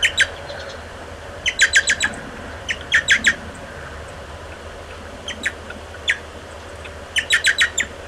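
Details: American goldfinch feeding on 30 July 2011, adult supplying food while young beg; bursts of three to five squeaky chirps separated by pauses, with a few single notes in between.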